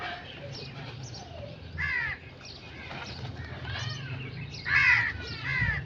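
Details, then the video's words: Crow calls heard three times, rough, descending caws, the loudest near the end, over a steady low rumble and scattered faint bird notes. "Crow sound effects 🔥 | Relaxing and natural bird sounds"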